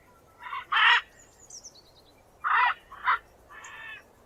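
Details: A macaw utters a quick pair of harsh squawks, pauses, then gives three more scratchy calls, the last one softer and more nasal; faint high bird chirps drift behind.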